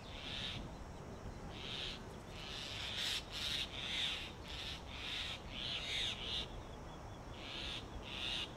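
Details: Grey Hornbill pair at a mud-sealed tree-trunk nest hole in Delhi in summer, the male feeding a regurgitated lizard to the incubating female; loud harsh squealing notes in bursts of about half a second, repeated steadily, with faint background hiss.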